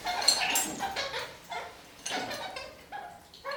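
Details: Kakariki climbing upside down on a ceiling, singing: bright, squeaky chirps in clustered bursts, a few sharp high notes standing out, separated by short quiet gaps.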